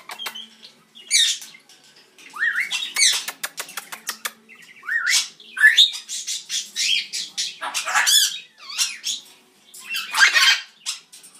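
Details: Loud pet Red-headed Amazon parrot indoors giving a long run of harsh, raspy squawks and screeches, some with rising hooked notes, repeated in quick bursts every second or so throughout.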